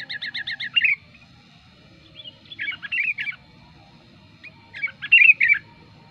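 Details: Sooty-headed bulbul lure song: a quick stuttering series of high chirps, then two more brief tumbling phrases of bubbly notes with pauses between.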